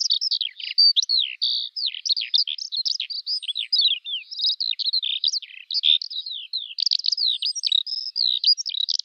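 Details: Eurasian skylark singing a rapid, nonstop cascade of high chirps, sharp down-slurred notes and rattling trills, varied phrases tumbling into one another in a clear recording.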